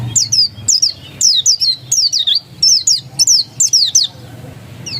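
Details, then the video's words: Ngotot song from a dakun-type oriental white-eye: clear, loud, high downslurred whistles in short rapid clusters, repeated about twice a second with brief pauses, a faint low rumble beneath. "Suara Ngotot Pleci dakun"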